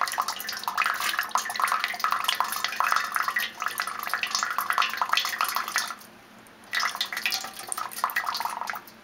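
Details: Steady splashing and dripping water in a small indoor room, with a brief lull near the end before the splashing resumes; no animal calls stand out.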